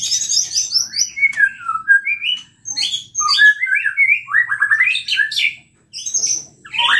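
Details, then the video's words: Hard-singing white-rumped shama, used to stir other shamas into song: high thin whistles, then varied slurred falling notes and chattering phrases separated by short silences, ending on a rising high note. "PANCINGAN MURAI BATU GACOR EMOSI SEKALI DENGAR BONGKAR ISIAN"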